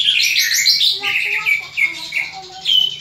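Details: Greater green leafbird's fighting call for training other leafbirds' fighting spirit: a shrill, dense burst of high notes, then spaced whistled chirps about every half second.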